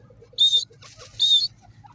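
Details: Grey partridge, locally called teetar, calling in forest. Two loud, shrill, high-pitched notes, each about a quarter second long and spaced under a second apart, over a faint low hum.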